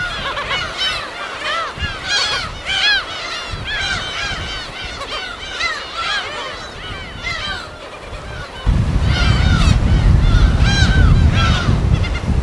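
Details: Many gulls crying at a colony on an uninhabited West Sea island, Korea: rapid overlapping calls throughout, with a sudden loud rush of wind or surf in the final seconds.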